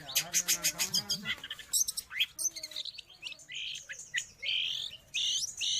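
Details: Cendet or pentet, the long-tailed shrike, recorded for training caged birds or luring wild ones: rapid clicking notes and a low, wavering tone open, then varied high chirps and buzzy, rising whistles follow.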